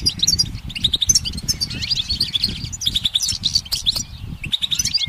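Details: Goldfinch perched on a branch in sunlight, singing: rapid twittering phrases of high tinkling notes and short buzzy trills, nearly continuous, with soft low rumbling underneath.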